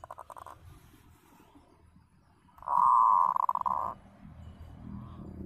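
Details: Local zebra dove used as a trapping lure, a clear-voiced master call: a short run of pulsed coos near the start, then a loud, buzzy, rolling trill lasting over a second, over low background rumble.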